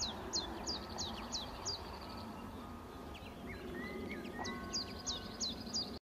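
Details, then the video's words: Common chiffchaff giving quick series of high falling notes, pausing mid-phrase while another bird's soft whistled notes sound, then resuming its repeated chiff-chaff notes over low background noise. "Tsjif tsjaf (Phylloscopus collybita)"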